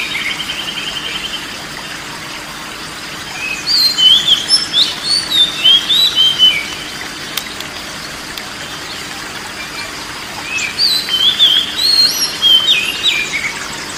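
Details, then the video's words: Oriental magpie-robin song used as therapy for a stressed bird reluctant to sing: two bursts of quick varied whistled phrases, sliding up and down, separated by a quiet pause, over steady background hiss. "TERAPI BURUNG KACER SETRES DAN MALES BUNYI"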